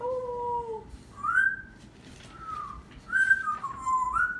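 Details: Pet parrot indoors making talking-style sounds: a series of clear whistled tones, some level and some rising then falling, in short separate phrases with pauses between.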